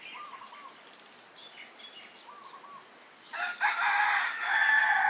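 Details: In a backyard at Wainiha in the 2013 morning chorus, beside a flowing brook, a rooster gives a loud, harsh, drawn-out crow of about two seconds after soft, scattered chirps and short whistles from small birds.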